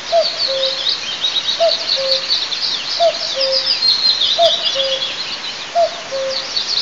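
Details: On 9 May 2024 at Altynychi in south-east Tatarstan, a nest camera at an eagle's nest picks up a common cuckoo. It calls cu-coo five times, a higher note then a lower held one, at a steady pace amid busy twittering songbirds.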